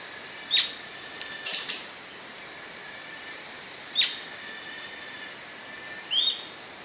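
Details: Atlantic royal flycatcher with sharp high notes and a closing rising whistle, plus a brief burst of higher chirping from another bird, over a steady background hum.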